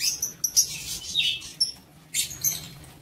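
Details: Lovebirds in a breeding aviary: sharp high squeaky chirps in short irregular bursts, some shrill and scratchy, separated by brief quiet gaps over a low steady background hum.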